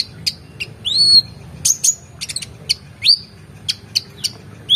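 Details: Spirited song of a brown-throated sunbird meant for training contest birds: isolated sharp ticks alternating with sweeping high whistles that drop then rise, spaced roughly half a second apart, with a soft low background hum.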